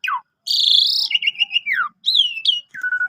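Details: Javan pied starling singing as canary tutoring material: a falling whistle, a long hoarse buzzy note sliding downward, two bright rising-falling whistles, then a steady clipped whistle.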